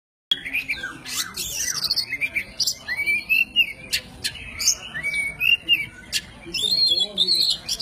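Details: Oriental magpie-robin of the white-breasted kacer poci form, singing a master song filled with forest material for training songbirds: varied whistled phrases sliding up and down, mixed with sharp clicks and chips, nearly continuous.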